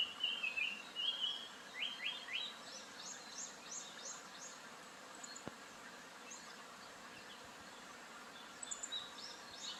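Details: Japanese paradise flycatcher calling over a soft hiss of background noise: an opening burst of whistled notes and quick rising strokes, then a long quiet stretch, with faint high sweeps returning near the end.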